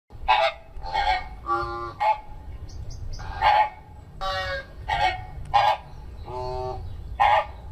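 Flamingos give nasal, goose-like honks in quick succession, about ten in eight seconds, several birds overlapping at slightly different pitches over a low background rumble.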